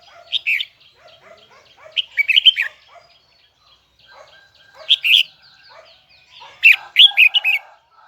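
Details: Huế-type red-whiskered bulbul in full high, doubled, twisting song. Three loud bursts of quick slurred whistles about every two and a half seconds, with soft background chirping from other birds.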